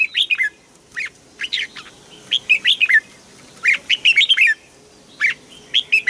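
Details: Asian bird singing in Thailand, giving short bursts of three to five quick, sweet, descending chirped notes separated by brief pauses.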